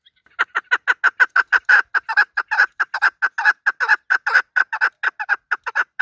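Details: Chukar partridge used for hunting, calling loudly in a long, steady run of clipped chuk-chuk notes, about two per second, harsh and mid-pitched, starting softly and building.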